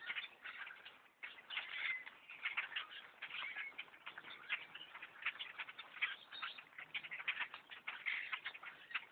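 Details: Blackbird flock, thousands strong, overtaking a bow hunter's tree stand; an unbroken roar of countless shrill chirps and squeaks layered together, rising and falling slightly in loudness.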